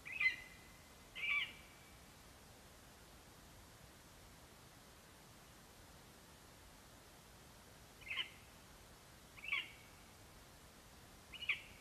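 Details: Male lesser spotted eagle calling for his mate at the nest after arriving with a vole, 11 September 2021; short high yelps, two close together, then a long silence before three more spaced notes, over faint steady background hiss.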